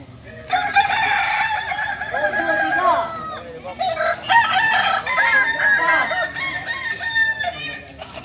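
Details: Solok's native singing chicken, the Kukuak Balenggek, practising for crowing performance: several loud, layered crows with long sustained multi-note endings, crowded together and overlapping throughout, with softer clucks beneath.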